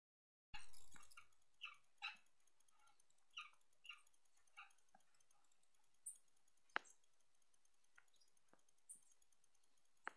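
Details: Parrots (maritacas) in a home garden on 3 May 2016 give a run of harsh, nasal squawks, about one every half second, fading away; sharp clicks and faint high chirps follow.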